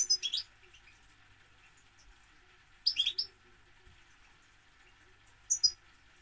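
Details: Goldfinch giving three short, well-separated bursts of high tinkling twitters and thin whistles, with long quiet pauses between them and a soft hum beneath.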